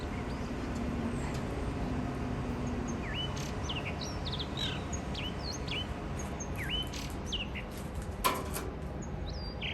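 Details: Wild blue rock thrush at a balcony in Shonan, Japan, in spring, with its mate, giving the first song of the year: scattered clear whistled upslurred and looping notes over steady outdoor noise.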